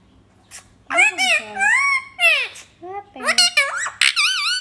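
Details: Talking parrot chattering in a continuous string of squeaky, speech-like syllables with bending, wavering tones, some rising sharply and others sliding down, ending on a drawn-out wavy note.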